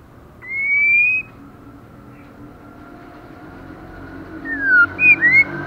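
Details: Female white-rumped shama, moulting and nearly bald, singing intensely: a long rising whistle, a pause, then a quick burst of three or four bright whistled notes, some sliding down, others rising.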